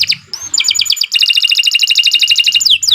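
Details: Tutor canary for young or silent birds singing quick trills of high repeated notes at shifting speeds, closing with two downward-sweeping whistles.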